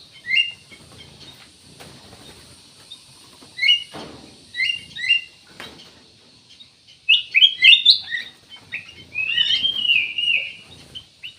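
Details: Ruby-throated bulbul giving scattered paired chirps early on, then a livelier run of quick, jumbled, warbling notes with slurred upward and downward inflections toward the end.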